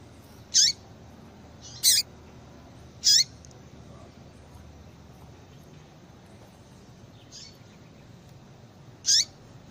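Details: A female yellow-bellied seedeater calls to stimulate a male for breeding: a run of three sharp high chirps about a second apart, a long pause with a faint note, then one more chirp; low hum throughout.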